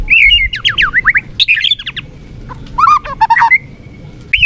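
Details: White-rumped shama (murai batu) song: a quick string of looping whistles, sharp chips and short rattles, then a thin sustained whistle and one final clear note.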